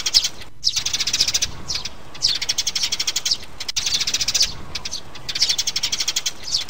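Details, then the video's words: Mother sparrow and chicks, played as a lure to draw birds into traps: bursts of rapid, high chirps running together in chattering groups about a second long, separated by short pauses, with a faint hiss behind. "Tiếng bẫy chim sẻ Sẻ mẹ, sẻ con"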